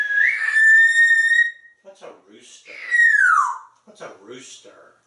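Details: African grey parrot living in a Texas home mimicking sounds, giving a long steady whistle, then a second whistle sliding downward, each followed by soft chattering clicks and murmurs indoors.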